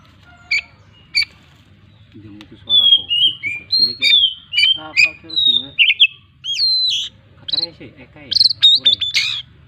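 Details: Oriental magpie-robin in full song with imitation phrases: scattered sharp chips, then a lively series of whistled and buzzy notes with a looping upslurred phrase, while a person talks in the background.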